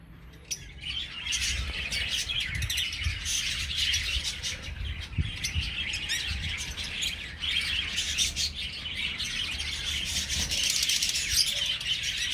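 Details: After a brief quiet start, budgerigars kept as an aviary colony break into sustained overlapping chirping and chattering warbles, with occasional low knocks and thuds beneath.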